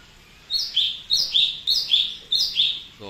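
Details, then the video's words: Cucak cungko bulbul singing energetically: a run of six bright, chirpy two-part phrases, each a quick high note dropping to a slightly lower warbled one, repeated about every half second, with a faint low hum underneath. "cucak cungko gacor"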